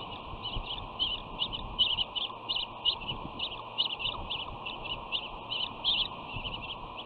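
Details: Bald eagle sisters squabble on their West End nest on 13 June 2019, with the dominant one nipping the other's wings. A steady stream of sharp, high chips and chatter runs through the whole stretch.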